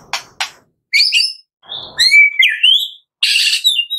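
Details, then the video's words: Morning song of a white-rumped shama, used to stimulate caged birds into singing: two dry broadband clicks, then high ringing notes, a clear rising and falling whistle, and a dense harsh burst to end. "Pancingan Murai Pagi WHITE-RUMPET SHAMA 100% AMPUH buat Pancingan murai batu pastol agar bunyi"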